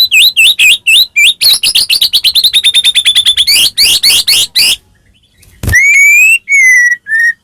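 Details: Caged white-rumped shama in full gacor song for provoking another bird: rapid looping whistles, a long accelerating trill of repeated notes, a sharp click, then clear drawn-out rising whistles.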